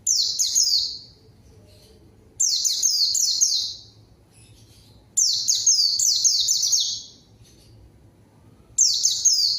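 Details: White-eye singing to lure a rival, which responds and joins in: four bursts of rapid, high, descending whistled notes, each about a second long, spaced by roughly two-second silences.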